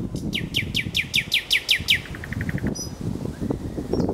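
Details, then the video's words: Nightingale song in Kuzminsky forest park: a loud run of about ten sharp, repeated broadband notes, then a faster series of softer clicks, ending with a thin high whistle over low background rumble. "Голос соловья"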